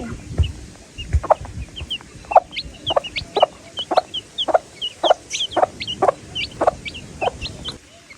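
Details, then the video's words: Baby chicks give high, thin peeps, some rising, in a busy overlapping chatter as they communicate with one another, mixed with lower, steady clucks about every half second to a second. "The Chicks Peep Sound"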